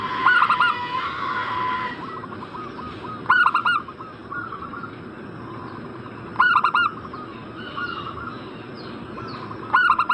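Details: Zebra dove call used to prompt a breeding-condition bird to respond. Loud four-note staccato coo phrases repeat roughly every three seconds, with softer overlapping coos and warbled notes from other doves between them.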